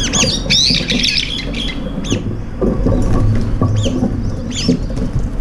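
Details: Several brown-eared bulbuls at a shared feeding spot, squabbling while eating. Scattered short, harsh, squeaky calls in small clusters over steady low rumbling and clattering noise.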